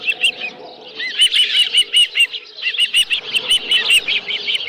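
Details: Osprey calling at its Dunrovin Ranch nest, 11 July 2018, live fish present: a couple of lower notes, then a string of evenly spaced piercing whistled yelps, with faint background hum.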